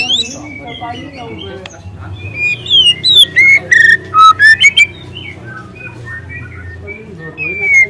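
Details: Young wild white-rumped shama delivers loud canary-like phrases used as a lure: descending whistles, then a bright run of repeated clipped notes about three per second, fading into soft high whistles.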